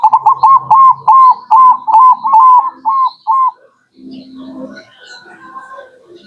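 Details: Lure recording of a local zebra dove, or perkutut, meant to draw in wild birds: a run of about ten quick, mellow, hooked coos, then a pause followed by scattered chirps from other birds and low background murmur.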